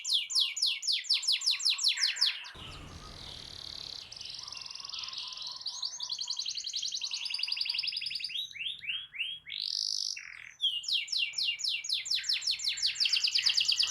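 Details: Persistently singing canary, used as a training recording to stimulate a silent canary to sing: rapid series of high, downward-sweeping notes, then a noisy break and long buzzy rolls, returning to quick repeated sweeps.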